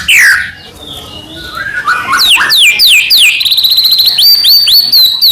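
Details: White-rumped shama of the Medan type in nonstop song rich in fillers, used to set off other shamas; a high descending whistle, a series of downward-sweeping notes, then a rapid even trill.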